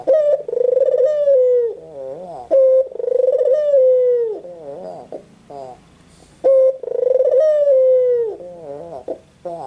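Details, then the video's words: A white Barbary dove coos repeatedly, about three phrases in ten seconds. Each opens with a sharp note, rolls into a sustained falling hoot, then trails into wobbly softer notes. "SUARA BURUNG PUTER PUTIH"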